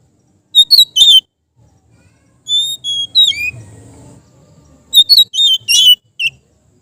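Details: Oriental magpie-robin kept as a cage bird, relaxed ngeplong singing for training: groups of sharp whistled notes, a descending run of thin slurred whistles mid-clip, then a final cluster of bright chirps amid near silence.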